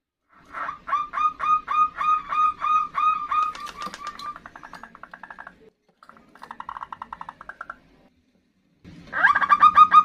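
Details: Female zebra dove calling to the male, recorded as a lure: a fast run of about a dozen clipped, ringing coo notes, then softer buzzy rattling bursts, a short gap and a sudden loud burst of notes at the end.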